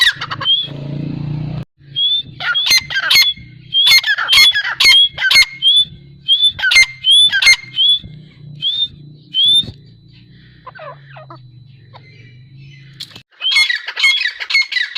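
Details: Grey francolin delivering a long series of short, rising whistled notes with harsh squawky edges, repeated quickly for about eight seconds, then a pause with low hum and faint notes, and a final burst of calls.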